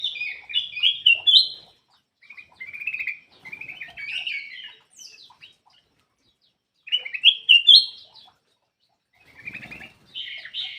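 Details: Black-crested bulbul song used as a lure to get quiet birds singing: bright warbled phrases at mid-high pitch in bursts of one to two seconds, separated by short silences.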